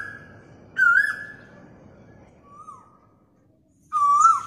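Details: Asian koel recorded on a mobile phone gives loud, clear whistled notes that rise and swell: two strong calls about three seconds apart with a fainter one between, over a low background rumble.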